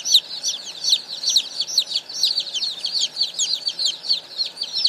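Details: A hundred newly arrived baby chicks, delivered that morning, peeping together: a dense, continuous chorus of high, shrill, downward-sliding peeps overlapping with no pauses.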